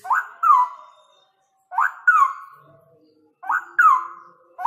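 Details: Three vigorous phrases from a male straw-headed bulbul singing ropel: each is a quick upward whistle and then a rolling, descending warble, spaced about one and a half seconds apart in a quiet setting.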